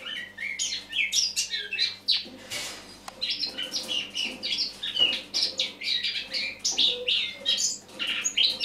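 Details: Eurasian blackcap singing in autumn, recorded in the morning on 1 October 2017: a rapid, varied warble of high chirps, twittering phrases and whistled notes flowing almost continuously, with a brief rustle or flutter near the middle.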